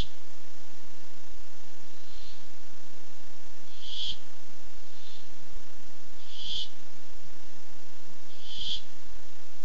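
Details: Barn owl looking for food on a nest camera, 8 July 2015: a series of hissing rasps, faint ones alternating with louder screeches, about every one to two seconds.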